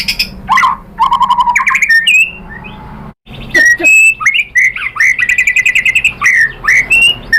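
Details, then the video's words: Murai batu, the white-rumped shama, in lively song meant to provoke other birds into singing; rapid chattering notes and slurred whistles, a brief gap, then a fast varied medley of whistled phrases and harsh squawks. "Bikin GACOR ‼️ MURAI BATU jadi EMOSI NYAUT BONGKAR ISIAN ¦ PANCINGAN MURAI ¦ SHAMA BIRD"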